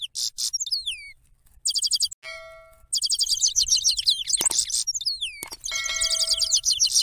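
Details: Fast-played European goldfinch song, said to be a female's loud song for luring birds into traps: dense high twittering trills and falling whistles, overlaid by clear, ringing, bell-like electronic tones in the middle and near the end.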